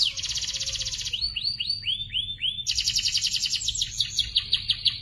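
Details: Young canaries singing, recorded as a training track for other birds: a fast buzzy trill near the top of the range, then a run of slurred descending whistles, then another dense rapid trill.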